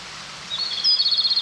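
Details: In mountain forest, a Japanese robin hidden in thickets gives a brief, high, rapid trill of clipped notes, about eight per second, rising in loudness, against a faint hiss of background noise.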